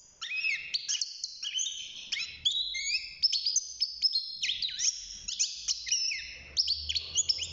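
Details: Young European goldfinch kept in a cage, singing at six months of age: a lively, unbroken stream of tinkling chirps, twangy slurred notes and quick trills, varied and fast, with a faint low hum underneath.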